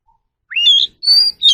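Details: Oriental magpie-robin, a training song for kept birds: a clear upslurred whistle that swells into a full note, followed by a sustained, thin, level high whistle and a closing brief chirp.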